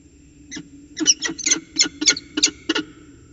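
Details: Peregrine falcons at Orange, CSU, NSW, chatting during their ritual dance on 19 February 2020: about nine sharp, grating chup notes in three seconds, loud and close, roughly evenly paced after a lone opening note.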